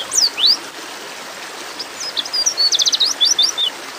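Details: A female white-eye in breeding condition calls for a male: two sharp descending and rising whistled sweeps, a gap, then a fast run of high chips and short slurred twitters.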